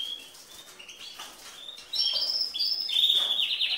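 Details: Female canary singing like a male to stimulate males; after a quiet start, bright high chirps and warbled notes rise suddenly into a louder, rapid twittering run.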